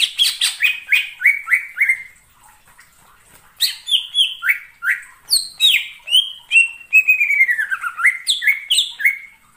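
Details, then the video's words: Cucak ijo (leafbird) singing energetically, used as a lure for trapping birds: bursts of loud, clear whistled notes, many sliding downward, in quick varied phrases, a short pause, then a denser run of chattering and slurred whistles. "suara pikat burung cucak IJO"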